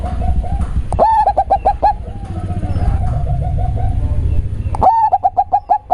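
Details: Bass-heavy cooing of a local zebra dove: two bursts of rapid, clipped notes bracket a long, soft purring trill, with a low rumbling hum throughout.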